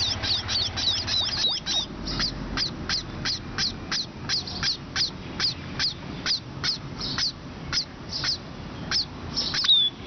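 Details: Sparrows at Pallikaranai: a fast, steady series of short, sharp, downward-sweeping chirps, about two or three each second, over a low, constant background hum.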